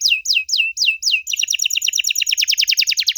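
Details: Canary song meant to make young canaries reply: four sweeping downslurred whistles, then a fast even trill of sharp repeated notes.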